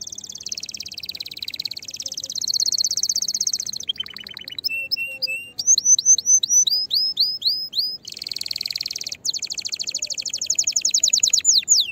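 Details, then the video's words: Canary in fiery, excited song used to encourage other canaries to sing, mixing buzzy high rolls, rapid descending sweeps, steady short notes and quick rattling trills in a long varied phrase. "تغريد طائر الكناري هائج نار , لتحفيز على الغناء"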